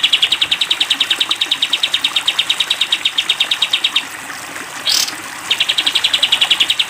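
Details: Sooty-headed bulbul kept in a cage, recorded as a training master for its 'tembak panjang' long rapid song: a four-second machine-gun trill of bright identical notes, a pause with a rushing swish, then the trill resumes.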